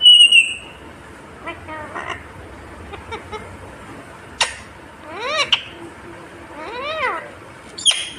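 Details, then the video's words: Indian ringneck parakeet, a sharp high whistle at the start, then soft clicks and several arched, harmonic speech-like syllables, ending with another piercing whistle. "Natural Sound of Talking Ringneck green parrot 🦜 Original audio 😯 Indian Ringneck Parrot 🦜"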